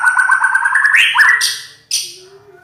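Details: White-rumped shama (murai batu), described as a rough-voiced champion, delivers a buzzy, harmonic-rich warble that rises in steps, followed by two harsh high bursts and a faint low tone.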